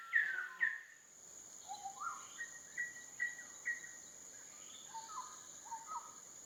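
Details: Bar-backed Partridge at a photography hide waterhole outside Kaeng Krachan National Park, Thailand, giving a run of mellow, slurred whistles about twice a second after two louder opening notes, over a steady high insect drone.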